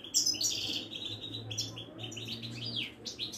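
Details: Caged Moroccan European goldfinch of the Widani type, kept by bird breeders near Casablanca, singing a rapid run of bright twittering notes and short trills, with a faint low hum underneath.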